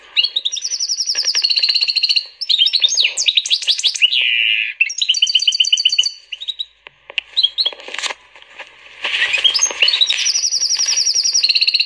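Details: Prolific singer, a hybrid of canary and European goldfinch, pouring out continuous high twittering: rapid repeated trills, rising and falling whistled slides and tinny chattering phrases, with short breaks between bursts.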